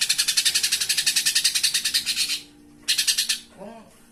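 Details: Live flowerpecker recorded as a master for tutoring cage birds: a long, fast, pulsing high trill of about two seconds, a brief gap, then a shorter trill, with low background hum and a faint low chirp at the end.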